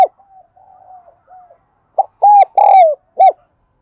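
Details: Spotted dove of the thổ đặc voice type, cooing to draw in wild birds: soft low murmuring notes first, then a loud phrase of four deep, round coos, the third longest and falling at its end.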